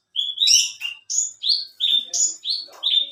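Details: Branjangan bush lark, alinea type, singing eagerly as a competition bird: a varied run of about seven rising notes, the first few tumbling together, the rest evenly spaced.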